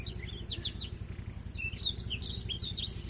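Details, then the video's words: Black-throated canary song used to tutor a young canary: rapid high twittering phrases with quick rising and falling whistled notes and trills, over a steady low hum. "proses belajar burung kenari isian burung afrika blacktroath"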